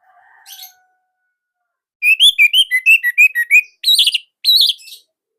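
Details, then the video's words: A caged Orange-headed thrush from Indonesia sings a quick series of about eleven short whistled notes followed by two buzzy wavering phrases; a faint low whistle sounds at the very start. "Kicaumania Anis Merah Indonesia//Gacor Nonstop."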